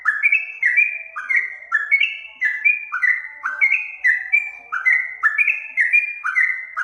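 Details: Master song of a sooty-headed bulbul (trucukan), played to make caged birds respond. Bubbly whistles tumble along without pause, each note sliding down and stepping between two pitch levels, about two notes per second, on a clean background.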